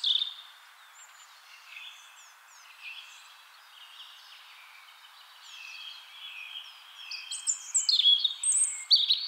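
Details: European robin in spring, singing a soft, rambling phrase of thin whistles and short slurred notes, then a louder burst of high, rapid trilled notes toward the end.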